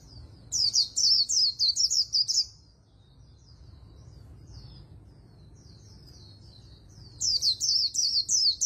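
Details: Oriental white-eye singing fast fighting-style líu: a run of about nine high whistled phrases, a stretch of soft scattered notes, then another quick run begins.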